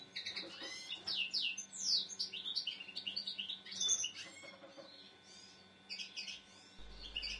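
A common linnet sings in quick bursts of bright, twittering chirps and trills, mixing sweet and slightly nasal notes, with short pauses between phrases over a faint low hum.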